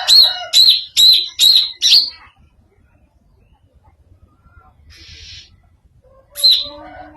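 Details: Greater green leafbird's strange song: five rapid, sharp, high chirps, a long quiet stretch with a faint short hiss, then one last chirp.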